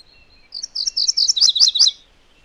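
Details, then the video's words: MacGillivray's warbler song: one high phrase of about a second and a half made of quick, bright, repeated chip notes that speed into a doubled, slightly lower ending, with a quiet background. "MacGillivray's Warbler Song ! MacGillivray's Warbler Sounds ! MacGillivray's Warbler Call"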